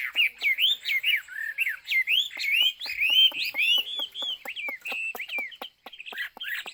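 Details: A Chinese hwamei (Garrulax canorus) pours out a loud, rich song of varied whistled phrases, slurred up and down, mixed with sharp clicking notes.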